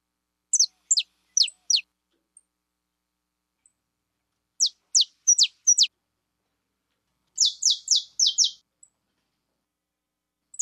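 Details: Saffron finch, called a fibra bird, giving groups of steep, high, downward-sweeping chirps, three or four at a time with gaps between groups, ending in a quick run of buzzy notes.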